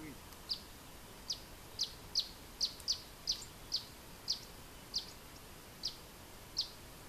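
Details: Vocal territorial male Eastern Bonelli's warbler in Bulgaria, 9 April 2018, giving a dozen short, sharp, high chip notes at an uneven pace, about one a second, over a soft background hiss.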